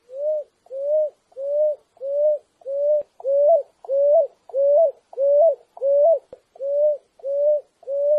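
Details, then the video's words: Picui ground dove song, a clean original recording without sound effects: a steady series of low cooing notes, each slightly rising then dropping, repeated about every 0.65 seconds, thirteen notes in a row, with no other sounds. "Som limpo do canto🎵 da Rolinha Picuí. Som original da ave, sem interferência de efeitos sonoros."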